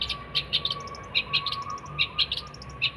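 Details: Long-tailed shrike song, lively and recorded for training songbirds: scattered bright chirps and short high notes in irregular pairs and triplets, with a steady thin tone running low underneath.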